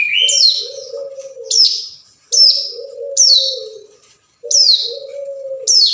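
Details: A hill prinia calls to a rival in a lure recording: bright, high, descending notes about every second, opening with a lower twitter, with a continuous low hum beneath.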